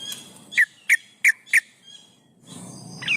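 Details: Breeding female yellow-vented bulbul calling males as a lure: four sharp, evenly spaced notes about a third of a second apart, then a quiet gap and one last high note over faint background noise.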